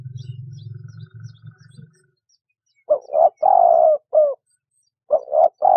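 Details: A low droning hum opens the recording and fades after two seconds. A dove then coos several times, giving paired short coos, a long steady note and a brief falling coo, before the next coo phrase begins.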